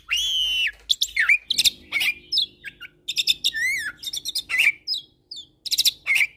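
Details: Tutor recording of black-collared starling, Nias myna and Nias × black-collared starling hybrid: a long whistled note, then fast varied chattering, clicks, downslurred whistles and buzzy phrases.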